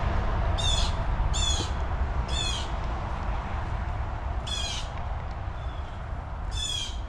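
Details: Blue jays at River Bend Nature Park along the Tomoka River, Ormond Beach, Florida: one loud jay gives five harsh, raspy screams, each short and grating, one to two seconds apart, over a steady low wind rumble.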